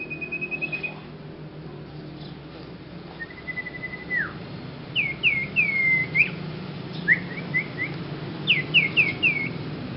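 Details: Unusual song of a young Sirpu bird still learning: a short buzzy trill, then a level whistle dropping away, followed by quick runs of slurred, hooked whistles repeated several times per second over low room noise.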